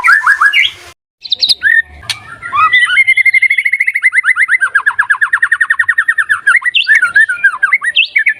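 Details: White-rumped shama song used as a lure to stimulate a stressed or quiet bird to sing: varied whistled phrases, then long rapid trills of repeated notes sliding slowly downward, ending with scattered chirps.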